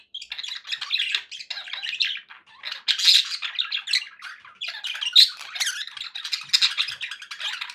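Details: Happy budgies kept as pets, giving continuous harsh warbling and squawky chatter indoors, rising in bursts around three and five seconds, with short pauses between phrases.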